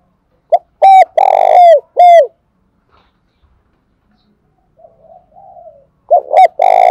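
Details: Decoy spotted dove giving loud coos meant to draw other doves: a clipped, forceful phrase of short coos and a long rough coo, then a quiet soft murmur before another loud phrase starts.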